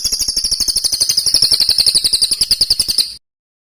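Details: Masteran bird song for training kicau birds: a steady, very rapid high trill of clipped notes lasting three seconds, ending abruptly in silence.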